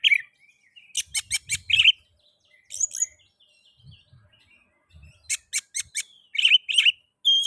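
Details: Oriental magpie-robin song played to prompt other magpie-robins into singing: rapid clusters of sharp chirpy notes alternating with short whistled phrases, two loud bursts separated by quieter gaps, faint low thumps.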